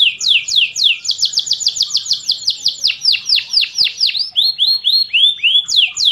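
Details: Canary delivering 'kapas tembak' style song on a training tutor recording with water sound pauses: rapid descending whistled sweeps, about four per second, slowing into longer slurred notes near the end.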